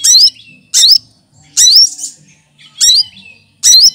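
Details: Leafbird (cucak kinoy) used as a tutor bird, skilled at copying other birds' voices: sharp high phrases with sweeping whistled slurs, repeated roughly every second, with quiet chatter between them.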